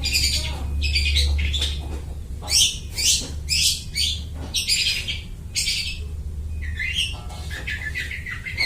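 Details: Long-tailed shrike imitating other birds' voices, a song used to lure birds for trapping; loud harsh chattering bursts alternate with short whistled and buzzy notes, low droning hum behind.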